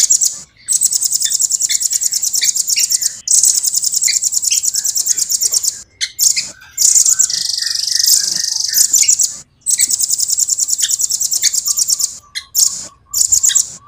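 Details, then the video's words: Rambatan, the velvet-fronted nuthatch, delivering long clear rolls: repeated extended runs of very high, tightly spaced trilled notes lasting several seconds each, separated by brief gaps and short bursts. "Rambatan gacor jernih,speed rapat ngeroll panjang"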